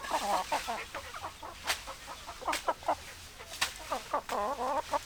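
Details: Chickens clucking, wavy, bending clucks in short bursts with brief pauses between them and several sharp clicks in the background.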